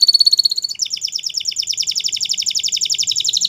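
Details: Spanish Timbrado canary song, opening with a rapid high metallic trill that shifts into a long, fast, even rattle of clipped notes, roughly four per second, continuing steadily without pause.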